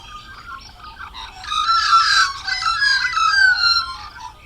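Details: A single Australian magpie (Gymnorhina tibicen) gives a complex, layered song of rich, warbling, fluting whistles and gurgles that swell in the middle and shift in pitch throughout.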